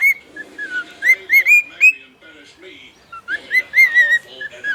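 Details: Domestic male bird singing in short bursts of whistled, slurred notes, loose and uneven in rhythm, separated by a quieter gap with soft murmuring sounds underneath.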